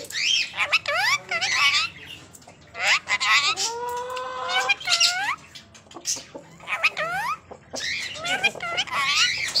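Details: A female rose-ringed (ringneck) parakeet talks in a high, squeaky voice, running mimicked words into quick rising and falling phrases with short harsh squawks between.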